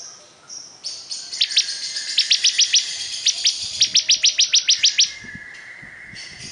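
Bar-winged Prinia singing a fast, high series of about twenty sharp, ringing chips over four seconds, with a thin hissing background.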